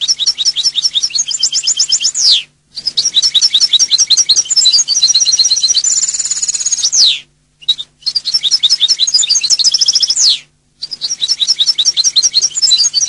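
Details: European goldfinch song in four long bursts of fast twittering and trilled notes, one with a sustained buzzy passage, each ending in a downslurred sweep, with a steady low hum behind.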